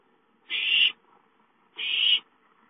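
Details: Owlets playing at home and calling for food, 5-9-13: two loud, drawn-out hissing screeches about one second apart, each swelling slightly before cutting off.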